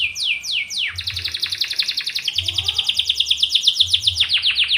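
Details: Canary singing to stimulate other canaries. A few falling whistled sweeps lead into a long, steady, fast rolling trill that pulses evenly, ending in quick downslurs, with a faint low hum.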